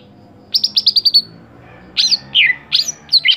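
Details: Greater green leafbird song, a caged songbird kept for singing contests: a quick run of six bright high notes, then slurred descending whistles and sharp chirps after a short pause.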